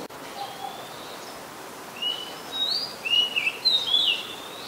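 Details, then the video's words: Song of an Oriental magpie-robin, very common resident in Ubon Ratchathani, Thailand, 2 July 2022, Nikon P1000 recording: a varied run of short clear whistles, some rising, some falling, in quick succession over soft background hiss. "นกกางเขนบ้าน Oriental Magpie Robin (singing)"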